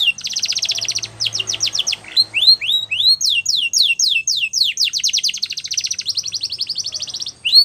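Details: Song of a Belgian canary, meant for training young canaries, opening with a fast buzzy trill, then a run of separate upward-sweeping whistles before another long rapid rolling trill.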